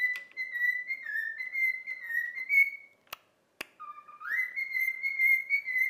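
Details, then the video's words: Pet cockatiel, trained for about a week, whistling the tune of If You're Happy and You Know It indoors: bright, slightly wavering whistled notes held near one pitch with a short dip, a brief pause with two clicks, then a rising swoop into further sustained phrases. "COCKATIEL SINGING IF YOU ARE HAPPY AND YOU KNOW IT WHISTLE Cockatiel Sound"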